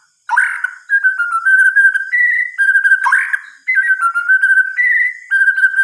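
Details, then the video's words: White-rumped shama singing at night: sweet, mostly level whistled phrases with quick rising flourishes and brief high ticks, delivered in a continuous varied stream with short pauses, loud and close. "Suara Kicauan "MURAI BATU" di Malam Hari"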